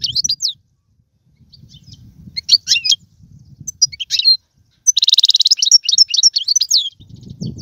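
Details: European goldfinch song to stimulate a pet goldfinch; scattered high chirps at first, then a dense buzzy trill near the fifth second followed by quick twitters, over low murmuring noise.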